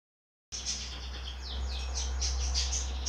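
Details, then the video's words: Goldfinch hybrid (mixed goldfinch) giving quick, high, downslurred twittering notes, about three a second, over a steady low mechanical hum. "Mixto jilguero"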